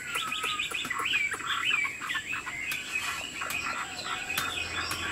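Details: Tame Chinese Hwamei in a cage, nodding and flicking its wings as it sings: quick warbled and whistled notes, a brief upslurred phrase, then softer jumbled twittering amid occasional clicks.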